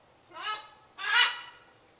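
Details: A bird's repeated kwaak calls on a January 2014 morning: two grating, nasal squawks in quick succession, the second louder and harsher, each lasting about a third of a second.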